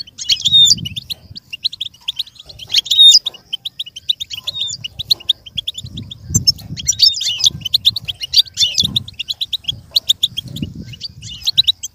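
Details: Goldfinch singing, offered as stimulation for another goldfinch to learn and imitate. Bursts of rapid high twittering notes alternate with brief pauses, and soft low thumps sound faintly underneath.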